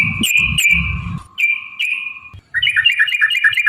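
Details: Yellow-vented bulbul song meant as a lure to provoke singing and fighting: long steady whistled notes with a low hum underneath and thumping noise, then a rapid sequence of repeated whistled notes.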